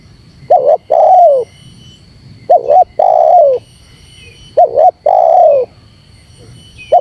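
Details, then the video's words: Cooing spotted dove meant to challenge wild doves, repeating a double note plus long falling coo roughly every two seconds, three full phrases and the start of a fourth, with faint bird chirps. "Suara Terkukur Menekan Rapat Lawan Pemancing EMOSI Terkukur liar"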